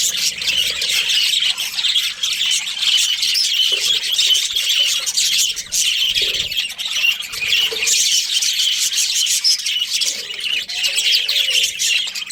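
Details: Budgerigar breeding pair chattering continuously, a dense stream of high, scratchy chirps and warbles with brief pauses, kept as pets indoors; a few low knocks in the background.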